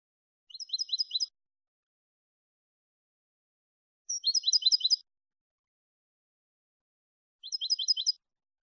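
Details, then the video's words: European goldfinch in clean Malagueño-style song for educating goldfinches: three short bursts of rapid, high, jingling twitters, each under a second, separated by roughly three-second silences, with no other sounds. "NUEVO CD MALAGUEÑO LIMPIO PARA EDUCAR JILGUEROS"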